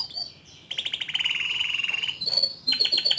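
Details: Short passage of young male canary song used to encourage a juvenile to sing: a fast, steady rolling trill followed by higher repeated whistled notes.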